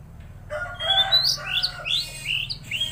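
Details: Tledekan Laut singing hard, a rapid series of bright whistled notes, each swooping up then down, repeated about three times a second after a short pause, over a faint low hum.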